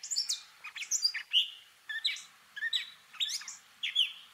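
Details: Short burst of Gray catbird mimicry song, a run of scratchy chirps and slurred whistles in quick, uneven phrases with brief pauses between them, with little other sound.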